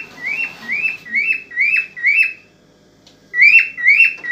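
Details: An excited cockatiel sings to stimulate a female to mate: a quick run of clear whistled notes, each swooping up then dropping, about four per second, a short silent break, then the same notes resume louder.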